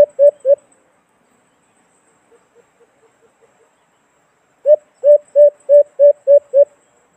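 A white-eared brown dove gives short, low, hollow hoots: a burst of three, a few soft notes, then eight evenly spaced hoots about four per second.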